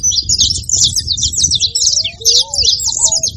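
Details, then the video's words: Saffron finch noise: quick, high twittering chirps in a busy burst, a short pause, then more, with rising and falling lower whistled notes late on and a low background hum. "Canário da terra fazendo barulho"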